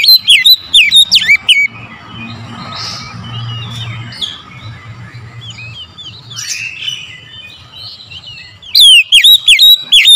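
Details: Oriental magpie-robin lure song heard in the morning: fast loud whistles sliding downward open and close the passage, with several seconds of faint chirps and soft warbling in between.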